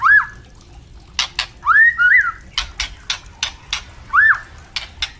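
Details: Captive white-rumped shama singing for training young birds: arched whistled notes, one paired with a rising second note, spaced between sharp repeated clicks.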